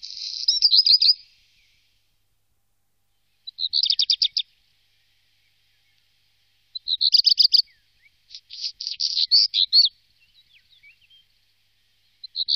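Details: Black redstart singing in the Wittlicher Tal, Germany, in 2018: short high scratchy phrases with buzzy rattling notes, five bursts separated by pauses of one to three seconds, no other sounds.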